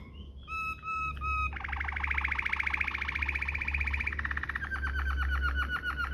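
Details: Waterslager-style canary song for tutoring canaries: a few clipped whistles, then long rapid rolling trills, buzzy and even, shifting pitch downward partway through, over a steady low hum.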